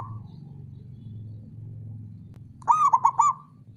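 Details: A male zebra dove gives one short burst of four or five soft, rolling coos after a stretch of steady low rumbling background.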